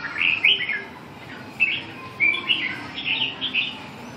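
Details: Red-whiskered bulbul on the afternoon of 7 June 2012 giving short, liquid, warbling phrases in separate bursts, each a quick run of bubbling notes, with brief pauses between them.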